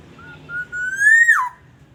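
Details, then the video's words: Black-naped oriole from Aceh, recorded to lure other orioles into song: short soft whistled notes lead into a strong, mellow note that rises and then falls sharply. "Kicauan kepodang emas pikat"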